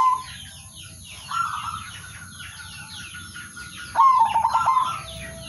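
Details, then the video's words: Local male zebra dove calling to rivals, used as a lure so other birds join in. It gives short mellow cooing notes, then a louder burst of rolling coos near the end, with many small birds twittering constantly behind. "suara perkutut/merbok lokal jantan memanggil lawan jadi pancingan dan pikat semua ikut manggung"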